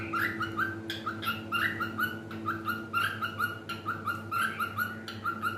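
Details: Singing pet cockatiel indoors, giving a fast run of short, bright, harmonic chirps and warbled whistles, roughly two or three per second in pulsing groups, with a steady low hum behind.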